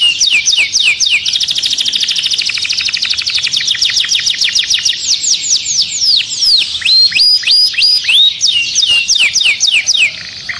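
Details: Excited canary singing inside its cage: a long, loud run of rapid high trills, rolling and buzzy at first, then breaking into sharp descending whistled notes repeated several times a second.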